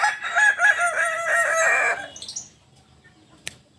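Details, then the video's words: Purebred Kukuak Balenggek rooster of the biriang kuniang type from Solok, West Sumatra, crowing: a loud two-second run of stepped, pulsing harmonic syllables that holds its level, then breaks off into faint high chirps and a sharp click. "Ayam kukuak balenggek"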